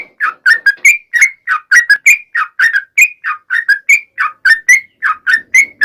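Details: Energetic gacor song of a sooty-headed bulbul, a long ropel sequence meant as a lure for other trucukan: steady string of short liquid whistled notes, some rising, some falling, about three per second.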